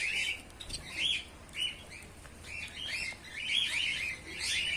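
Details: White Bengalese finches of both sexes in a colony, uttering short chirps about once a second, uneven in timing, with overlapping callers.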